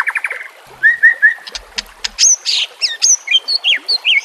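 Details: White-rumped shama singing on a recording for tutoring caged birds, with nature sounds and trickling water: a fast stuttered burst, three even whistled notes, sharp clicks, then high bright chirped and warbled phrases.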